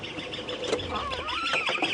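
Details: Great spotted cuckoo call played back on a sunrise safari drive on 15 October 2016 in the South African lowveld, described as its more common call, gives harsh, grating notes rising and falling in a quick chattering run against a faint hiss.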